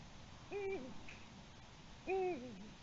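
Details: Eurasian eagle-owl at its nest at 6:16 p.m. on 03-21-20, briefly bringing a small grey mammal, apparently a shrew, and hooting repeatedly: two deep, hollow hoots about 1.5 seconds apart, each with a short lower downward tail, over a quiet hiss.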